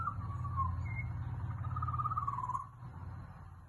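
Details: Australian magpie in Australia: a continuous fluting warble near one octave, gently wavering and dipping for about two and a half seconds, over a steady low rumble.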